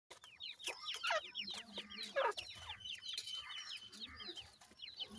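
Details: Grey francolin (teetar) chicks, several birds, feeding and playing, with a dense stream of high, overlapping down-slurred peeps tumbling over one another, mixed with softer clucking notes and faint low rumbling underneath.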